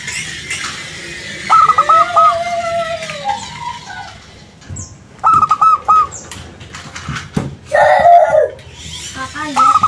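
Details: Local zebra dove giving a lure song to draw replies: short bursts of quick stuttering coos at intervals, mixed with other whistling birds and background noise.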